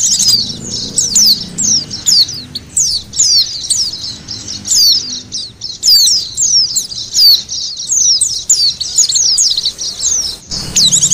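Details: Oriental white-eye sounds played to lure birds: long sequence of high, thin, sharply sweeping notes and twitters, some louder single slurs, continuous for over ten seconds with little pause.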